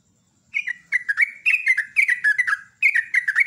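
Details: Loud morning song of a sooty-headed bulbul, called gacor ropel nguklik: quick bubbly phrases of three or four warbled, falling notes. The phrases follow almost without pause over a quiet background.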